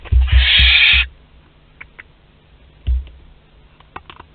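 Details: Young barn owl visiting its parents' food store on 10 July 2021 at Théding, France, gives one loud harsh hiss lasting about a second, followed by soft knocks and scuffling noises.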